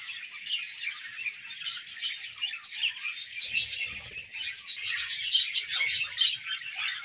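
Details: A colony of budgerigars chirping while eating: a continuous dense chorus of overlapping high chirps, chatters and warbles with no pauses, plus soft low knocking sounds near the middle and end.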